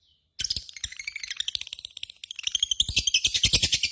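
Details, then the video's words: Lovebird breaking into loud, rapid ngekek chatter after a short quiet start, the harsh high notes growing denser and stronger toward the end. "SUARA BURUNG LOVEBIRD GACOR,Jago Ngekek Bikin Lovebird Apapun Langsung Ikutan Nyaut Ngekek Koekk"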